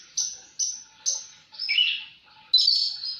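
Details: Brief phrase of Javan bush lark song: three crisp high level notes in quick succession, then a longer descending buzzy trill and a final rich, sustained high note.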